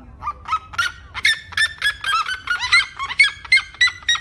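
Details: Seriema, red-legged, calling in a fast run of loud yelping notes that climb in pitch across the series, each note harsh and honk-like, about three per second, over low background rumble.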